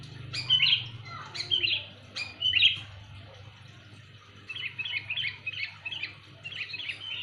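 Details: Sooty-headed bulbul giving loud luring calls: three bright, bubbly chirping phrases in the first three seconds, then a softer run of quick repeated chirps; low steady hum beneath.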